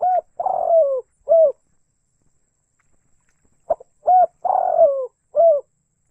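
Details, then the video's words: Spotted dove in rice fields giving its cooing phrase twice, each a clear coo, a long slurred downward coo and a short closing coo, separated by about two seconds of silence. "Suara burung tekukur disawah sangat merdu"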